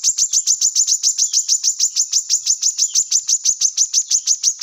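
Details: Brown-throated sunbird, recorded for use as a song model for other birds: a steady, evenly spaced run of piercing high chirps, about three per second, without a break.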